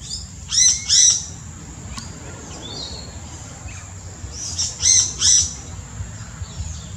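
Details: Yellow-rumped cacique in the Brazilian Amazon: two loud harsh paired notes, a short pause with faint whistles, then the same pair again about four seconds later.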